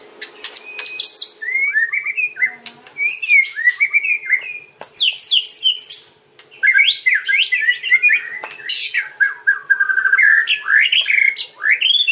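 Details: White-rumped shama song used to lure other birds, a fast varied stream of whistles, chips and scratchy phrases with slurred rising and falling notes throughout.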